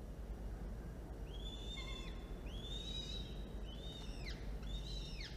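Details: Falcon at a nest camera during a feeding, prey brought in by one adult, two young chicks present, 13 October 2022 early afternoon; loud, slurred whistled calls that rise then bend downward, in four spaced phrases over steady low rumble.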